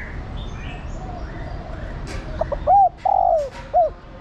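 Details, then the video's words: Female spotted dove calling a male: two short notes, a long drooping coo, then another short note, preceded by faint soft whistles from other birds. "Cu gáy mái thúc trống + gọi trống cực nhay"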